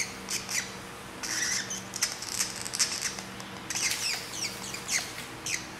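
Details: Grey treepie chick about three weeks old, found by a roadside in southeastern Taiwan and being hand-fed indoors; high, squeaky begging notes come in short bursts amid rustling and feeding noises, with a faint low hum behind.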